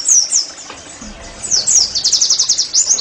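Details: Oriental white-eye song for getting caged birds to sing: a few high slurred whistles, a brief lull, then a quick burst of rapid high chirping notes.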